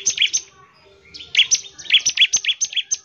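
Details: Bar-winged prinia, lively song played to set other prinias singing: a short chip phrase, a pause, then a longer rapid series of high, ringing chips.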